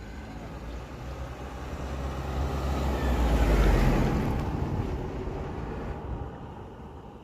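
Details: A vehicle engine rumbles as it approaches, swells loudest midway and fades again outdoors, with no animal calls audible.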